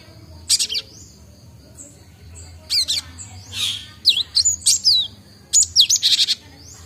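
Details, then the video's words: Young cinereous tit learning its song produces varied high chirps, rising and falling whistled slurs and one harsher squawk-like note. The notes come in irregular bursts. "Burung Gelatik Batu|Glatik Watu | belajar bunyi| baru dapat ngombyok"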